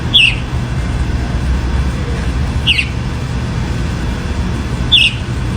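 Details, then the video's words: Three crisp, high, downslurred notes from a chalk-browed mockingbird, spaced a bit over two seconds apart, with a persistent rumbling background. "Sabia do campo cantando muito"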